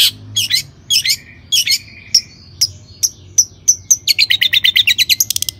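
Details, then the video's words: Long-tailed shrike in full song, meant to provoke other shrikes into singing. Paired scratchy chirps give way to clean high whistled notes, then a rapid accelerating run of short sharp ticks near the end. "Kicau cendet gacor AMPUH EMOSI TINGGI, pancingan CENDET AGAR BUNYI jadikan BURUNG PENTET GACOR AKTIF"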